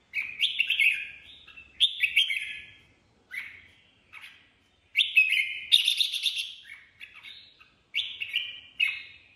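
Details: Red-whiskered bulbul (chào mào) singing in the improvised ché style: short bright chattering phrases, bubbly and slightly buzzy, in bursts of about a second separated by short pauses.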